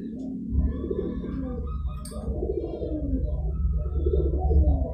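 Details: Zebra dove call meant to attract wild doves: a run of soft, rapidly repeated trilling coos rises and falls in clusters, set against a heavy low rumbling hum and faint clicks.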